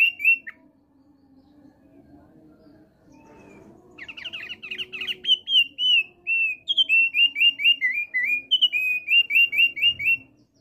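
A male Thick-billed Heleia sings a fast, bright run of clear whistled notes, repeated about twice a second, over a faint low hum.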